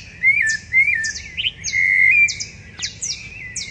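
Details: Rufous-bellied thrushes sing before dawn on 10 September 2012 in a backyard in Curitiba, Brazil: a steady run of mellow, warbled phrases, with thin, high descending notes from another bird laid over the top.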